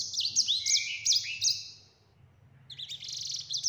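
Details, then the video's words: Yellow-fronted canary singing in the vigorous, long rolling 'ngeroll' style, a clear-voiced tutor recording: fast, high, sweet whistled phrases with sharp slurred notes for two seconds, a brief pause, then another rapid warbling burst. "Sanger Gacor Ngeroll Suara Jernih"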